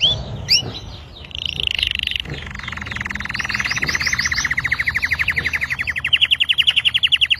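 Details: Red Belgian canary singing a long, continuous song: high whistled notes and brief trills at first, then a fast rolling trill of rapidly repeated notes that grows louder and steadier toward the end, over a faint low rumble.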